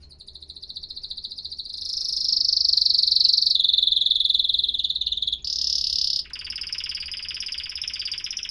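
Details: Canary singing a long rolling trill that builds in volume, shifts lower, jumps to a brief louder section, then ends in a lower, denser buzzing roll. The recording is clean.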